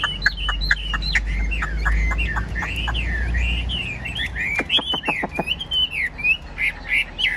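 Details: Caged Chinese hwamei in full song: a fast, varied chain of clear, slurred whistles and quick upward and downward sweeps, mixed with sharp clicks, loud and continuous, with a low rumble in the first half.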